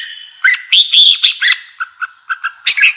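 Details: Brief red-whiskered bulbul song meant to provoke wild bulbuls: a loud rising warbled whistle burst, then several short clipped chirps at regular spacing, over a faint continuous high whine.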